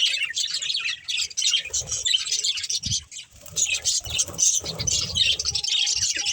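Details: Budgies chirping during play and feeding, a fast jumble of squeaky, high twitters in uneven bursts, with low rumbling background noise beneath.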